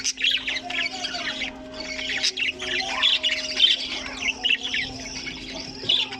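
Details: Several budgerigars in a colony with cockatiels chatter in bursts of scratchy, buzzy squawks and short whistled notes, with a steady low hum throughout.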